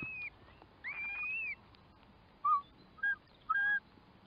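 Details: Curlew calling: a clear whistled note, a longer rising, wavering whistle, then three shorter lower whistled notes spaced about half a second apart.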